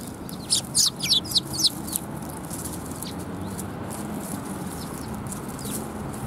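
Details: Sparrows coming to be fed at Tenmangū shrine on 7 January 2021: a quick burst of high, bright chirps in the first two seconds, then steady background hum.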